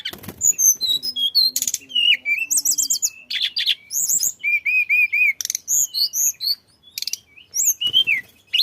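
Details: Flycatcher known as tledekan singing continuously, meant to prompt other birds to join in: varied whistles and trills including a series of five even whistled notes, then fast chips and slurs.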